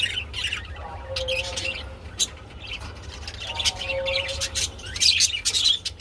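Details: Budgerigars chatter while mating, with scratchy chirps and clicks, two soft lower tones between bursts, and a faint hum.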